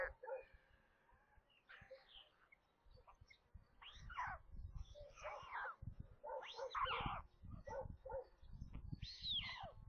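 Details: Nestling white storks calling at feeding time, 27 May, on a nest near Kaluga, central Russia; scattered harsh, wavering squeals in short clusters, with low rumbling and knocking noises underneath.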